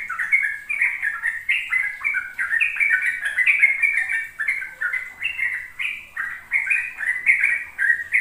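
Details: Sooty-headed bulbul lure song for young birds learning the ropel style: steady, rapid series of clear bubbly chirps, rising and falling in short phrases throughout, with a thin high hiss in the background.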